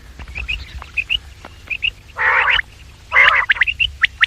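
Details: Quails calling, in a recording made for luring quails, morning and evening: scattered short high chips, then two long harsh, buzzy rasping bursts and a quick run of sharp notes.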